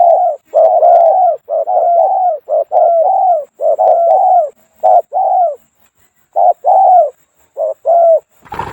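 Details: Two-coo Spotted Dove with a small voice, kept as a trapping decoy in Thailand: a dense run of low paired coos, short then long, almost without pause, ending in a rough burst of noise.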